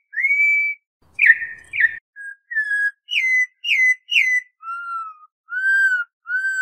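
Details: Campo troupial from Brazil in the style known as canto clássico dobrado: a long clear whistle, harsh slurred notes, three quick rising-falling whistles, then three mellow, lower, arched whistles, all loud and pure-toned.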